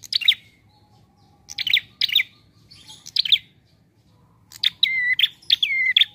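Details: A prinia gives its relaxed lure song for bird trapping: clusters of sharp high chirps spaced about half a second apart, ending in two looping whistled phrases in quick succession.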